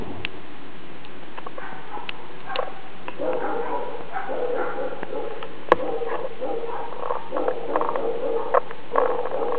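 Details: Monk parakeet chick about 30 days old, sound deeply asleep and snoring: soft, nasal, harmonic squeaks and hums, repeated irregularly and growing denser toward the end, with a steady low background hiss and one sharp click.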